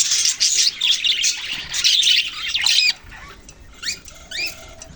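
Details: Budgerigars give loud, scratchy warbling chatter for about three seconds, which then drops away to a few separate quick upward-sweeping chirps.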